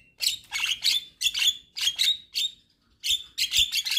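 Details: Javan myna singing vigorously, a series of loud harsh squawked bursts with whistled overtones, grouped in pairs and triples with short gaps, the bird nodding as it sings.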